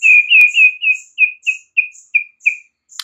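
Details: White-rumped shama singing in the morning: a quick series of about ten downslurred whistled notes, each short and sharp, with a thin high ticking note pulsing steadily above them.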